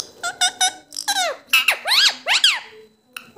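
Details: A pet talking parrot asking for roti: a run of squeaky, strongly harmonic syllables, first three short even notes, then falling and arched sweeping squeals strung together in quick speech-like chatter indoors.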